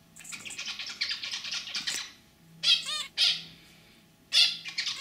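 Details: Zebra finches, a male and a female, chatter: a rapid run of high, nasal buzzy notes, then separate honking toy-trumpet calls, over a faint low hum. The male gives throaty song while the female gives simple chirps.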